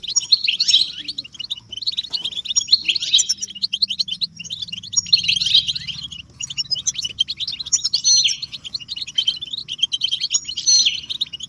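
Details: European goldfinch group twittering and mating calls for stimulating males to sing; bright, high, tinkling chirp clusters come in swells roughly every two to three seconds over a continuous background of fast twitters.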